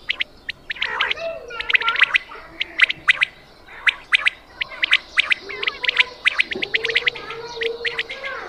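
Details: Quail call used for hunting, a dense run of short sharp chirps near two to four kilohertz, repeated in quick bursts about once a second, with a faint lower tone drifting underneath.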